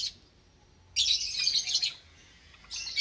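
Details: Java sparrows in a cage with newly hatched chicks, morning of 8 May 2022. A quick chirp, a pause, then a second of dense high twittering, then another short burst.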